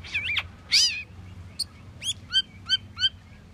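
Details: Asian glossy starling producing loud twisting, wheezy whistles, followed by four evenly spaced, clear downslurred whistled notes about a third of a second apart, over quiet low hum.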